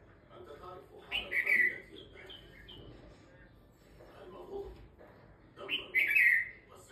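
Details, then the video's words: Kashmiri bulbul singing: two short bursts of bubbly, warbled chirps about five seconds apart, with quieter notes in between and a steady low background hum. "تغريد🎺بلبل 🐦كشميري"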